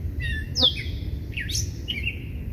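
A catbird gives a few varied, squeaky phrases: a sharp falling note, a slurred upswept whistle and a buzzy chatter, over a low background rumble.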